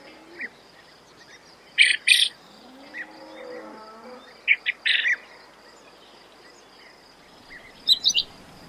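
A quail gives short, bright clipped notes in quick groups of two or three, spaced a few seconds apart, over a steady high insect hum and faint lower tones.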